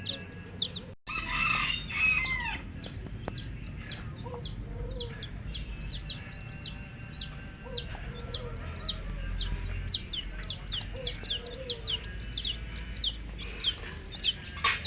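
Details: Many coloured baby chicks of the domestic hen chirping together: a dense stream of high, clear peeps, each sliding sharply downward, overlapping at about two per second, with a few lower rounded notes and a brief louder burst near the start.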